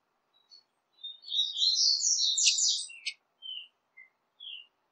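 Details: Double-collared seedeater song, from a mix of five different songs used to stir up kept seedeaters: a run of high, buzzy, tumbling notes lasting about two seconds, then a few short, separate whistled notes.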